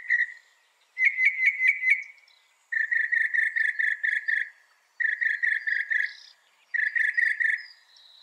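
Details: Northern mockingbird song, loud and fast: bursts of rapid repeated buzzy notes, each phrase a quick series of about six to eight pulses, separated by short pauses.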